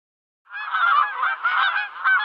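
A goose gives a continuous run of harsh, nasal honks, rough and braying, with slight breaks between bursts and no other sounds.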